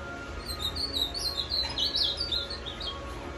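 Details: Caged ultramarine grosbeak, called azulão macaco, kept five years and singing while eating; a continuous fast warble of bright, slurred notes rising and falling throughout, over a low steady background hum.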